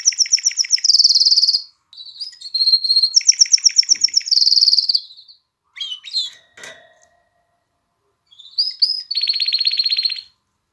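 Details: Mating-stimulation canary song, also meant to get chicks singing: high rattling trills in two phrases, a gap with scattered chips, then a final whistled note that runs into a rapid trill.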